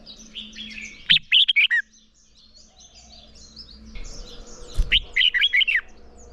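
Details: Morning contest song of red-whiskered bulbul, played to train newly caught birds: two bright bursts of rapid warbled, whistled notes about four seconds apart, with quieter twittering in between.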